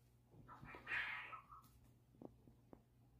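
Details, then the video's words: A young ostrich calling for its friends gives one soft, wavering, mid-pitched call lasting about half a second, not loud but carrying a long way. A low steady hum and a few faint clicks follow. "That's the sound you hear from young ostriches when they're looking for their friends. It's not very loud, but it carries a long ways."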